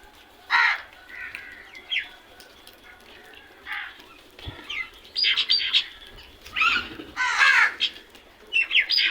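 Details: Crows making loud noise: harsh, raspy broadband caws in short bursts, some doubled, scattered irregularly through about nine seconds with quiet gaps between and faint chirps in the background.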